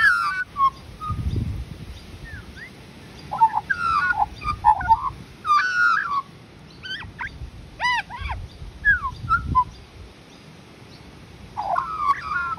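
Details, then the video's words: An Australian magpie sings a rich, fluting warble of liquid whistles, slurred notes and quick rising and falling phrases, with short pauses between bursts. "AMAZING SINGING - The Australian Magpie's Stunning Song"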